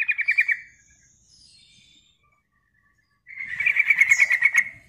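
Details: Sooty-headed bulbul lure call: a short fast rattle, a quiet pause, then a longer loud burst of rapid pulsed chattering notes.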